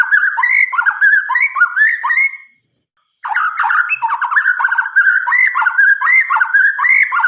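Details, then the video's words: Night song of a white-rumped shama, called murai batu: fast looping whistled warbles, a short pause near the middle, then the rich rolling phrases resume and continue to the end. "Suara Kicauan "MURAI BATU" di Malam Hari"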